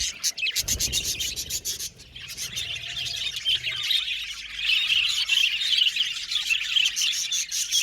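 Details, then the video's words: Chirping budgies from an aviary colony: opens with a burst of rapid clicking pulses, then settles into steady overlapping high warbles and chirrups from many birds, growing fuller toward the end. "Beautiful Budgies Chirping Sound | Happy Budgies Natural Sounds"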